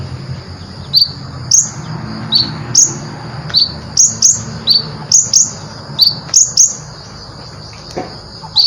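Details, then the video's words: Ruby-cheeked sunbird (konin) in gacor song with full isian for masteran: loud, sharp, high chirps repeated singly or in pairs about every half second over a soft low hum. "Konin gacor full isian"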